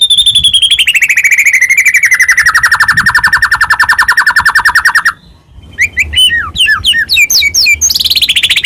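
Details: Lure song of a white-rumped shama meant to make other shamas sing: a long, rapid, slowly descending trill lasting about five seconds, a short pause, then quick high swooping whistles and another falling trill.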